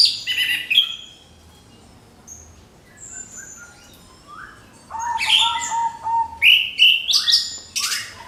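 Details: Lure song of the orange-headed thrush, used to make other birds sing: loud chirpy phrases open, then a quieter stretch of soft notes before a strong return of rising whistles and bright high bursts.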